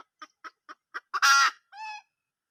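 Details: Wild hen junglefowl, 2022: five evenly spaced clucks quickening into a loud, raucous, sustained squawk, then a softer nasal drawn-out note.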